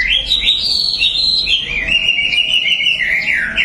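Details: Continuous whistled warble from a prize-winning white-rumped shama. Fluid notes rise and fall through a middle-high register, steady and unbroken for several seconds over faint low background noise.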